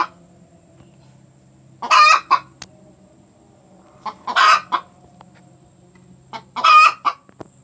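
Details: Hen loudly cackling after laying an egg, with three strong harsh drawn-out squawks spaced about two and a half seconds apart, each followed by a short cluck, over a faint low hum.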